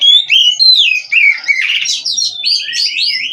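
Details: Captive-bred Oriental magpie-robin (kacer) from Cirebon singing continuously: fluid whistled slurs sliding down and up, a short scratchy burst, then a string of quick rising chirps.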